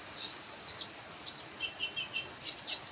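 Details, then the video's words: Sunbird giving short, very high, thin chirps in scattered bursts, with a few lower twittering notes in the middle, against a quiet background. "burung konin mu denger ini langsung yaut# kicau"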